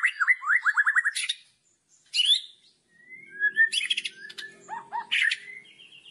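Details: White-rumped shama giving a loud 'kretekan' song meant to provoke other shamas: loud, varied phrases with a rapid run of rising whistled notes, then sharp high chips, slurred whistles and crackling rattles.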